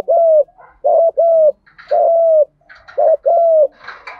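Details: Spotted dove challenge coos from male and female birds to stimulate wild doves: loud, drawn-out paired hoots, slightly rough, with faint chirping between phrases.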